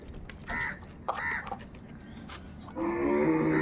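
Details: Crows in a large flock, said to be fighting for food: two harsh caws in the first half, then a longer, rougher, drawn-out grating call that runs to the end over a low rumbling background.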